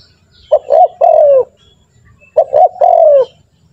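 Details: Training call of a spotted dove used to prompt other doves to sing: two phrases, each two quick notes leading into a long, softly falling coo, separated by a short quiet gap.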